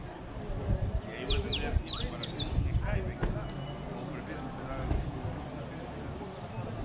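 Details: Yellow-bellied Seedeater gives a quick burst of high, sweeping whistled notes and chips, then a softer phrase after a pause, over a steady low rumble with what may be voices.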